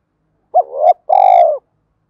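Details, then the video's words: Spotted dove giving its urging and calling coo, played to train newly caught and decoy doves to coo strongly: one quick rising hoot, a pause, then a long, even, slightly pulsing coo against silence. "Tiếng cu gáy Thúc + Gáy Gọi dùng luyện bổi và tập mồi gáy sung mãn mỗi ngày"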